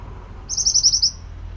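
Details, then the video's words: Pied bushchat in full, lively song for training other birds: a brisk series of about seven high, piercing notes, slightly accelerating, in a clear half-second burst against quiet low background noise. "Masteran burung Mantenan gacor"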